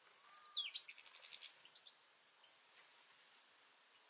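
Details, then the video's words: European goldfinches squabbling at a two-port garden feeder, with juveniles present: a rapid burst of high, bright twittering chirps for about a second, then scattered faint single chirps. "Goldfinches fighting and chirping juveniles"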